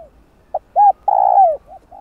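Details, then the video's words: Spotted dove lure call for trapping wild birds: a short note, an arched note and a long, downward-curving coo, then soft trailing notes. "Tiếng cu gáy gọi thúc gù kích mồi tập bổi, kích bổi ức chế gáy nhanh"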